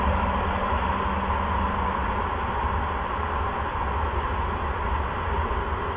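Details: Even hiss and low droning hum fill the recording, with no animal voice present.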